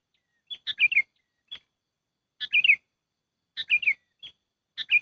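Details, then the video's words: Sooty-headed bulbul call played to lure birds for trapping: four chattering, descending phrases in five seconds, each opened by a bright clipped note, with isolated single chirps between them and no other sounds. "SUARA PIKAT BURUNG KUTILANG AMPUH"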